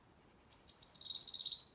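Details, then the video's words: Wild birds singing in a garden tree in Blackrock, Dublin, in November: high thin whistles, then a quick trill of sharp, rapidly repeated notes, over quiet background. "November Birdsong Blackrock Dublin"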